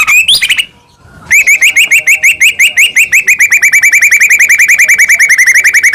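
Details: White-rumped shama song, a morning lure recording meant to start a pet bird singing in full 'kretek' style: a few sliding notes, a short pause, then a fast, steady run of bright upswept chips, about three each second.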